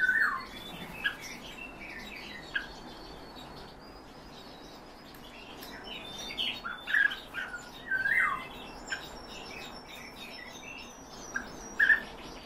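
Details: Captive European bee-eaters calling at irregular intervals: short, burry, rolling notes, some in quick pairs or clusters, spread over about twelve seconds with quieter chirps between.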